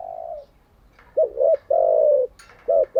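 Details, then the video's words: Spotted dove kept as a decoy bird, its call used for daily training of captive doves: a mellow coo fading out, a pause, then a bouncy double coo, a long level coo, and a final short coo. "Tiếng chim cu gáy mới nhất, dùng luyện chim gáy bổi và mồi hàng ngày || Chim cu gáy mồi"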